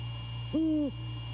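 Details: A single deep, even hoot lasting about a third of a second from a male great horned owl visiting a Savannah nest camera late at night, 6 January 2022, over faint steady hum.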